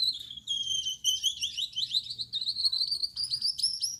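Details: Night-time song of a male Gouldian finch with yellow back, red head and white breast: an unbroken, very high, thin warble of quick buzzy slurred notes, wavering up and down and rising toward the end, over a soft low hum.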